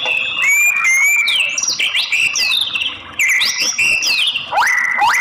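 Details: Female white-rumped shama voice used to provoke male singing, with rapid varied whistles, looping upslurs and downslurs, high thin notes and a steep rising whistle near the end, all bright and close.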